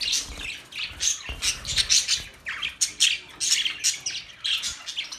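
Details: Lively budgerigar chatter for lonely birds: quick harsh chirps and squawks pulsing several times a second, mixed with thin, bright whistled notes.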